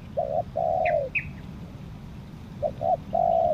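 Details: Decoy spotted dove from Lombok used for luring wild doves: a short coo and a long level purring note, a pause, then two brief coos and another extended coo. Two faint higher chirps from another bird and low rumble behind.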